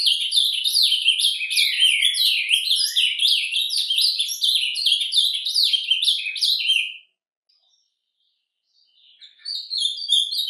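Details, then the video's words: Ultramarine Grosbeak in nature singing the soft 'surdina' song: a fast, tumbling warble of high sweeping notes for about seven seconds, a brief pause, then more. "CANTO DO AZULÃO SURDINA"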